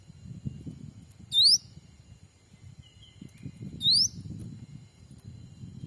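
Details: Black-capped bulbul call used as a lure for wild birds in a Sumatran forest: two crisp upward-swept whistles roughly two and a half seconds apart, soft brief note between, over steady low rustling.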